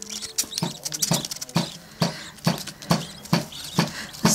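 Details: Three-week-old Budgerigar chicks huddled together on a warm day, 29 August 2010. They give harsh, raspy begging calls repeated about twice a second.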